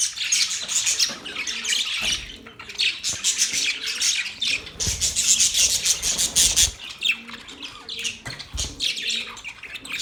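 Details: Chirping budgies, an Australian parrot, in constant busy chatter: high scratchy squawks and twittering notes tumble over one another, a few louder bursts around the middle, faint low knocks beneath.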